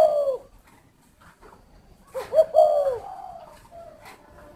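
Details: One soft downslurred coo from a spotted dove, then after a pause a fuller phrase of a short note and a drawn-out mellow falling hoot, ending with a quieter trailing coo.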